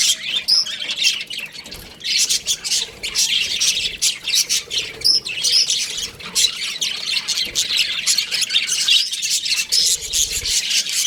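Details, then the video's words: Baby budgies chirping in an aviary, a long unbroken wash of scratchy twitters and squawks from many birds, with occasional clearer whistled notes rising above. "Baby Budgies Chirping Sounds"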